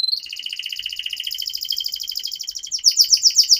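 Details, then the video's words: Canary in long 'gacor' song, used as a lure to make young canaries sing quickly: a dense buzzy trill of fast repeated notes that breaks into louder, evenly spaced ringing chirps near the end. "Pancingan Kenari Paud Agar Cepat Bunyi || MASTERAN Burung KENARI Gacor Panjang"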